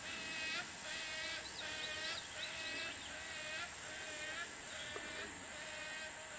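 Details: Two young Wood Storks begging as a parent feeds them in their nest at Big Bay Swamp, Birdsong, 2012. Nasal, wavering harmonic calls are repeated in quick bursts against a steady high insect drone.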